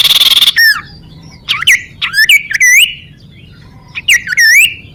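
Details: Sunbird song used to lure birds and prompt rivals to sing: short loud buzzy burst, then clusters of sharp descending whistled notes with upturned ends, repeated in groups of three or four with short pauses.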